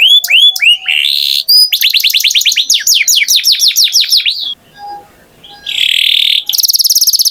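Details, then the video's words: Canary song in quick-changing phrases: looped rising whistles, then a run of steeply falling sweeps, a short pause with faint clicks, and a final buzzy trill of rapid high notes. "Canary Singing Beautifully"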